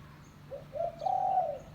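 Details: Single low coo phrase of a spotted dove, locally tekukur, for luring doves: two soft rising coos lead into a long, even, slightly buzzy final note.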